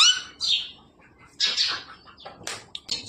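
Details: A parrot copying human talk with scratchy, rapid syllables and brief voiced fragments in several bursts, broken by short pauses. Someone is encouraging it to speak.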